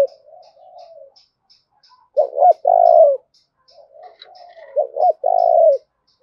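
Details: Spotted dove decoy cooing to incite fighting: soft low coos, then two loud phrases of two clipped notes and a long throaty coo, over a faint steady high ticking.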